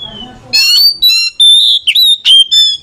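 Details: Oriental magpie-robin counter-singing back and forth with another, used to stir slow or lazy singers: loud, pure whistled notes with rich overtones, some steady and some sliding, in short bursts separated by brief pauses, after a faint low rumble.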